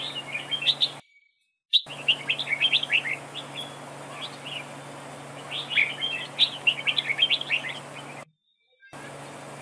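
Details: Dueling song of a red-whiskered bulbul used as a decoy for trapping: dense runs of lively warbled, chattering notes in two long bursts, briefly interrupted by cuts to silence, with a low steady hum beneath.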